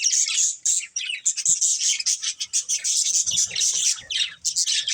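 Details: Pet budgerigar pair producing an unbroken flow of high, bright chirps and buzzy warbling chatter, with soft low knocking sounds beneath.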